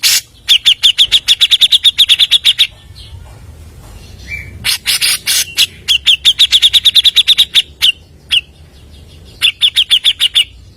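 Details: Grey-cheeked bulbul singing nonstop as a lure: long fast trains of bright repeated chirps, a lower note, loud harsh bursts, and further chirp runs.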